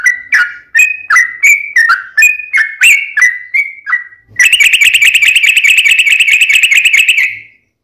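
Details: Yellow-vented bulbul song used as a lure to set other bulbuls singing: loud, clear whistled notes about two per second, each dropping in pitch, then a long fast rolling trill of rapid buzzy repeated notes lasting about three seconds.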